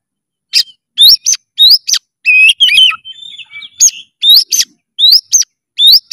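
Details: Energetic oriental magpie-robin song of short, bright upward-sweeping whistles in quick pairs, separated by brief silences, with a squeaky chattering warble in the middle; clean, with no background sounds.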